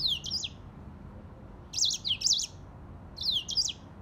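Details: High, sweet twittering from a grey singing finch: three bursts of fast zigzagging whistled notes, the middle burst longest, with brief silences between them.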